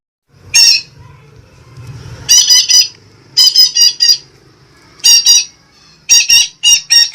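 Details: Red-breasted parakeet (Sumatran betet) lure recording for attracting birds: harsh, grating squawks in clusters of two to four, with short gaps between bursts and a faint low hum beneath.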